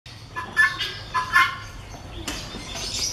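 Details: Breeder pair of helmeted guineafowl; harsh, grating calls with ringing overtones come in quick bursts over the first one and a half seconds, followed by rough broadband rustling noise.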